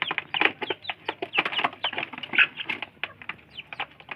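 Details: Chicks of Indonesian village chickens scrambling for food: busy overlapping thin peeps with falling pitch, mixed with quick clicking pecks and soft rustling.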